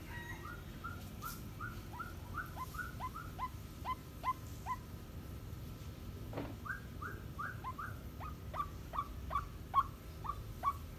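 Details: Female white-breasted waterhen, a 7.5-month-old decoy bird calling solo, gives short hooked notes that rise sharply then fall, repeated about every half second in loose runs, with a brief pause midway, over low background hum.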